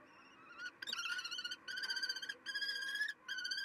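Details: In May, a hungry female common kestrel, after fetching a vole from a food cache while the male covered the nest, gives drawn-out, harmonic whining calls in four bursts of about half a second to a second, separated by brief pauses.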